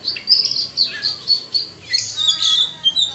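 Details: Oriental magpie-robin (kacer) singing a varied song with imitated phrases, with other birds also heard. High, bright, twittering phrases come in quick bursts about every half second, with a few lower whistled notes.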